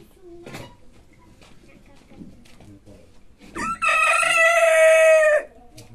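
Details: Rooster giving a loud, sustained crow of about two seconds near the end, preceded by quiet clucks, scattered knocks and faint chicken murmurs.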